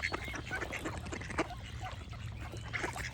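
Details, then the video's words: Ducks quacking in a dense chorus: short, harsh, overlapping quacks from several birds, with a few higher chirping notes from small birds and a low steady rumble underneath. "Duck Quack Sound Effect with Birds Chirping"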